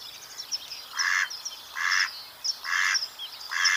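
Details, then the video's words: Mallard, a wild dabbling duck, giving harsh, buzzy quack-like notes four times at roughly one-second intervals. Thin, high chirps from other birds sound between the calls. "Mallard Duck Sound Effect"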